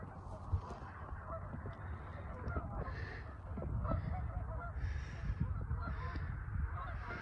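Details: Huge flock of about two thousand geese calling together, a dense continuous wash of overlapping honks and low rumbling chatter that swells in loudness halfway through.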